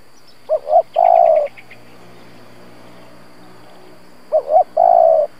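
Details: Decoy spotted dove cooing in the gù style, used to lure and provoke wild doves: two phrases about three seconds apart, each with a quick double note and then a long, steady, low drawn-out coo, with faint high chirps after the first.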